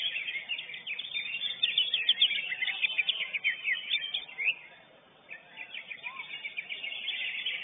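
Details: Lesser green leafbird (cucak ijo unyil), first-place winner at a bird singing competition, pours out dense, rapid high chirps and twittering phrases that briefly fade near the middle before resuming. Other contest birds are audible.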